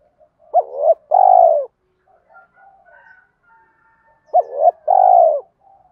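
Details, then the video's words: Spotted dove cooing, played to stimulate other doves to coo: two phrases, each a short hooked note then a long, even, slightly falling coo, separated by a quiet pause with faint soft background notes. "tiếng cu gáy kích bổi hiệu quả mỗi ngày, cu gay kich boi nhanh noi gù"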